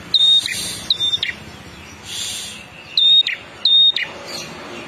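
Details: Prinia, locally prenjak kepala merah, in full steady song: short high flat whistled notes with a clipped downward tail, given in pairs, over faint background hiss and a passing rumble.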